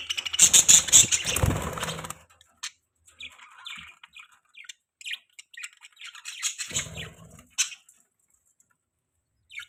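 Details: Budgerigars kept as pets, opening with a loud harsh rushing burst, then scattered soft chirps and squeaky chatter with quiet pauses and a brief low rumble midway.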